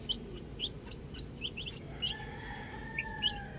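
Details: Young chickens playing with a ball, giving scattered high, thin peeps spaced irregularly, each a short downward slur, over steady low background noise and faint drawn-out tones.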